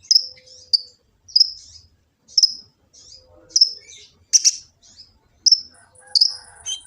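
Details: High, piercing chips from a sunbird (kolibri ninja) in Gresik, East Java, captured on an Android phone for training other birds; notes come singly about once a second, with one harsh, broadband burst near the middle.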